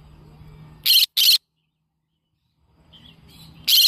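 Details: Yellow-sided conure parrot giving two loud, harsh broadband screeches in quick succession, then a pause and a third screech at the end; a faint low hum sits underneath between calls.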